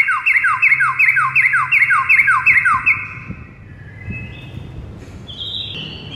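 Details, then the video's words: White-rumped shama in a morning training recording for a silent bird: a steady train of repeated downslurred whistles, about three per second, fading into quieter rising and level whistles. "Murai batu BISU seketika NAIK EMOSI dengar MASTERAN PAGI ini"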